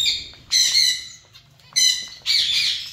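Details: Three strong bursts of buzzy, harmonic zebra finch calls from a colony, spaced over about three seconds with quiet between them.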